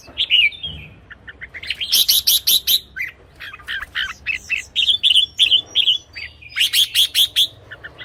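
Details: Red-whiskered bulbul song used as a decoy or played to excite caged birds: short bright whistled phrases mixed with rapid chirping bursts, repeated in quick succession with other chirps overlapping.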